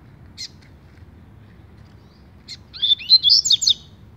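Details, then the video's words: Double-collared seedeater, known locally as coleira, singing the tui tui style; a brief faint note, then from about 2.8 seconds a quick run of high twittering, rising and falling whistled notes. "COLEIRA TUI TUI ZERO ZERO ( PIRATA )"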